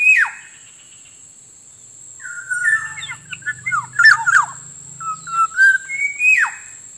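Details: Black-naped oriole sound for luring wild birds: an opening sharp, falling note, then a lively chattering cluster of slurred whistles and a clear, rising, fluty phrase, over a soft low rumble and a steady high tone.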